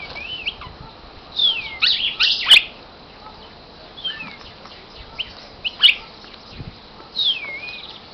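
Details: A cardinal held in the hand sings sharp, slurred whistles that swoop downward, given in loose irregular bursts, with a couple of brief clicks of handling noise.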